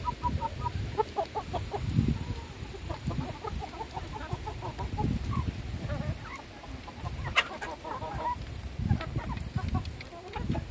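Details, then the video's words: Hens being fed by their owner, a busy flock clucking in rapid short notes with many birds overlapping, plus loud low rumbling and knocking noises. "alimentando mis gallinas"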